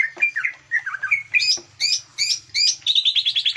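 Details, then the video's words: Green leafbird lure song for bringing out song fillers: looping whistled slurs, a few sharp chirps spaced evenly, ending in a quick repeated trill. "pancingan burung cucak ijo keluar isian"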